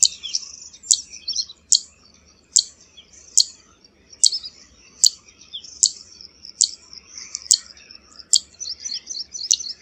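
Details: Zitting cisticola producing a steady series of about twelve sharp, high clicking notes, each under a second apart, over continuous faint high twittering.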